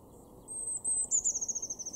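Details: Eurasian blue tit in a garden in Weener, East Frisia, far northwestern Germany, April 2021: a very high, thin drawn-out note breaking into a quick, slightly falling trill of about a dozen pulses, over faint hum.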